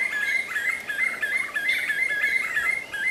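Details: Black-fronted nunbird at Pirenópolis, Goiás, Brazil, giving a fast, chattering run of short slurred mid-pitched notes, about three per second, uneven in rhythm, with fainter higher overtones and a steady background hiss.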